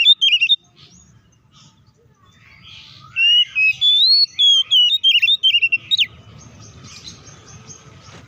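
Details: Oriental magpie-robin (kacer) delivering aggressive ngeplong fighting song meant to agitate rival magpie-robins; after a brief opening chirp and a pause, a fast burst of sweeping, rising and falling whistled notes follows, then steady low room hum.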